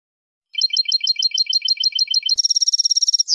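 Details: European goldfinch song from a tutoring recording: a fast run of paired high notes, then a denser, brighter buzzy trill ending in a sharp rising note. No other sounds.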